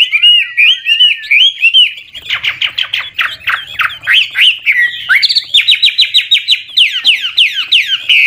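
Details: Chinese hwamei, an old wild bird, sings shifting phrases to stimulate young birds; wavering whistles give way to rapid harsh notes and then a fast, steady series of bright repeated whistled notes.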